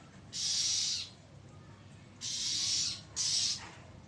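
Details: Oriental magpie-robin giving loud, drawn-out threatening calls, recorded 1 April 2023: harsh hissing rasps lasting under a second, repeated at irregular intervals.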